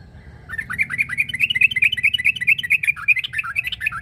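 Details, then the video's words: Yellow-vented bulbul (trucuk) calling out a rival in fighting mood, giving one unbroken run of rapid, bubbling, slightly wavering notes that lasts about three and a half seconds. "Suara burung trucuk narung memangil lawan"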